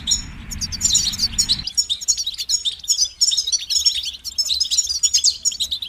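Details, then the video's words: European goldfinch trilling and twittering steadily in high, tinkling phrases; a low rumbling background noise fills the first second and a half, then stops. "Highlighting motivating songs for creative goldfinches in simple ways"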